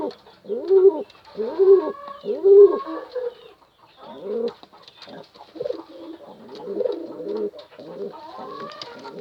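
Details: Pigeon calling a female, starting with three clear low arched coos, then quieter jumbled cooing and clucking-like notes in the background.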